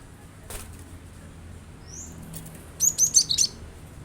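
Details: Cinereous tit song used as a lure to get a kept bird singing along: after near silence and a wing flutter, a quick run of four high, sharp whistled notes near the end.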